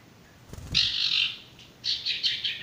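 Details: Two bursts of scratchy, chattering high twitter from a male sirtu after a soft thud, with a short gap between them. The recording is a masteran for training stressed or silent birds.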